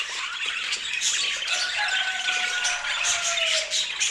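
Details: Pet budgerigars in vivid colors chattering in high, scratchy chirps and squawks, while several long, smooth, gently falling whistled tones run lower beneath the busy chatter.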